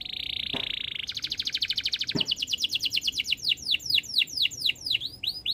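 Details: Canary singing a long continuous phrase: a steady buzzy trill opening, then a fast rattling roll of repeated notes that turns into rhythmic down-swept whistles, about two per second at the close.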